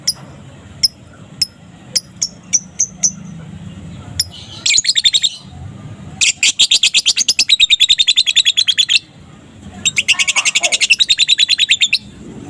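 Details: Young fighter lovebird under five months old, singing energetically in the afternoon in the ngekek style, used as a lure to provoke other lovebirds. Sharp isolated clicks come first, then long, very rapid, high chattering trills in bursts.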